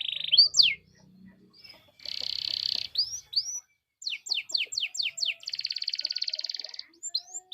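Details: Energetic canary song used to lure other canaries into singing, with sharp falling whistles, a dense buzzy roll, upswept chirps, a quick series of descending notes and a sustained even trill.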